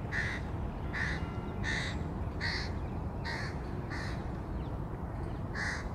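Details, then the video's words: A crow feeding its young in 2022 gives a run of eight harsh caws, fairly evenly spaced, loud and raspy above a continuous low-pitched rumble. "Corneille / Crow Feeding the 2022 young"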